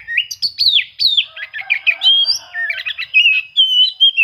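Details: Oriental magpie-robin singing as if seeking rivals, a lure to make reluctant birds sing: fast sequence of loud whistled slurs and chattering notes, some falling, ending in sustained level whistles.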